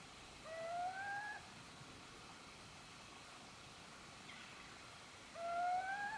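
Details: Little owl at Gmina Podedwórze, Poland, 2 November 2018, giving two plaintive whistled notes roughly five seconds apart, each rising a little and lasting about a second, against a quiet, hissy outdoor background.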